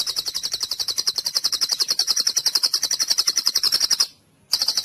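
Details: One unbroken, very rapid, high-pitched trill from a white-rumped shama in cililin style, on a recording for training other birds, stopping briefly before the trill starts again.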